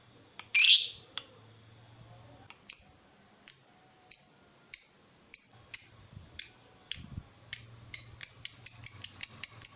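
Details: Chatty lovebird on a lure recording to draw answering ngekek from other lovebirds: one harsh screech, a pause, then short sharp high chips that start slow and speed up into a quick run.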